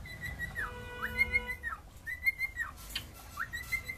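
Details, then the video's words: Cockatiel singing: clear whistled phrases near one pitch, each rising at the start and sliding down at the end, repeated with short gaps, plus a few faint scratchy chirps. "Cockatial singing."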